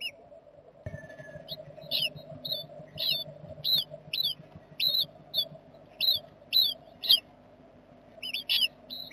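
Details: Nest-box jackdaw family on 7 May 2020: thin, high, sharply bent squeaks repeated roughly twice a second in short runs, over a steady low hum.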